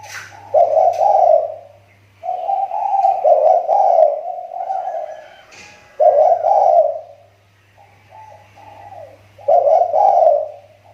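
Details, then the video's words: Caged spotted dove used as a lure bird, its call improving after a recent decline; repeated low, throaty cooing phrases of several rolling notes, four bursts separated by short pauses, faint hum behind. "SUARA TEKUKUR PIKAT SI TAKUR,SUDAH MULAI MEMBAIK"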